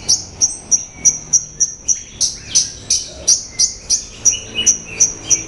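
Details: Horsfield's bush lark (Mirafra javanica) song: a steady string of sharp, high chirps about three per second, with a few lower twittering notes woven between them.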